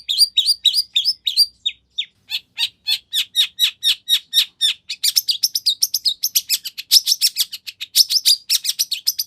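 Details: Long-tailed shrike in full song packed with copied phrases, used as a lure to make other shrikes answer: a dense run of sharp high chirps and buzzy notes, sometimes several per second, shifting to harsher scratchy notes halfway through.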